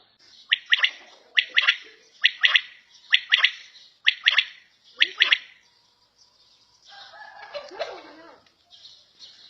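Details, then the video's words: Quail (battair) kept at home: sharp three-note calls, each a quick bright burst followed by a close double, repeated roughly every second five times. A softer rustling, scratchy sound follows near the end. "Battair Sound In Home"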